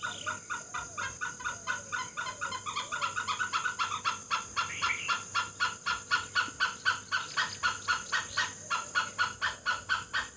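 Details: Great hornbill in Assam, Assamese dhanesh sorai, delivering rapid harsh barks about four per second that build in loudness and continue steadily for ten seconds.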